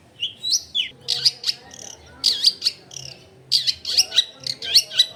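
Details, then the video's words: Long-tailed shrike in vigorous song, recorded at a home in a densely populated area: a string of loud harsh, buzzy chattering phrases with sharp rising and falling notes in rapid bursts, over faint low background hum. "CENDET GACOR BAHAN BUNYI ISIAN MELIMPAH CENDET DIAM LANGSUNG NYAUT EFEKTIF CENDET AGAR IKUT BUNYI"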